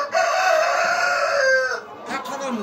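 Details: On an egg-laying farm of super hybrid chickens, a loud sustained crow holds almost level for about one and a half seconds, then drops away, followed by softer scratchy clucks and rustling.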